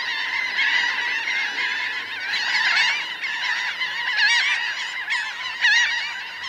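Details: Close-up of a large flock of about 1,000 laughing gulls on the ground and in flight: a dense chorus of nasal, yelping calls overlapping continuously, with higher laughing notes rising out of the din.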